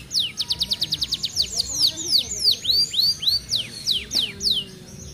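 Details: F1 canary with regional training-contest wins, singing near moulting time in a fast, tight 'speed rapat' style: rapid repeated downward-sweeping whistled notes, then looping slurred phrases and high trills.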